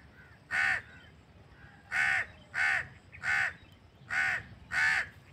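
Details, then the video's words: A crow gives six harsh, hoarse caws, each short and grating, spaced irregularly about a second apart, over a quiet background. "crow bird crowing sound | crow ki awaz naturally"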